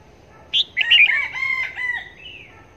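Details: Caged red-whiskered bulbul kept as a decoy bird for trapping near Long Thành, tested for calling wherever it is hung. After a sharp opening note comes a loud, ringing burst of warbled, harmonic notes, then a softer, sliding tail that fades out.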